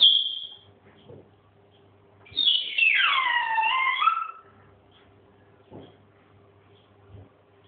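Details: Pet grey parrot, said to swear at its owner: a brief high whistle, then a two-second rough, speech-like phrase sliding downward from high to mid pitch, followed by soft clicks and a faint background hum.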